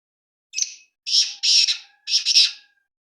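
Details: Black francolin giving its grating call, a short scratchy note then three longer rasping bursts within two seconds, with a faint thin tone under the later notes and otherwise quiet surroundings.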